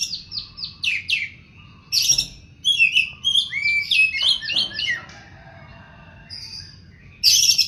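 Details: Oriental magpie-robin (kacer poci) singing energetically: quick high notes lead into varied whistled and slurred phrases with sharp, harsh accents, then a quiet gap before a loud burst at the end.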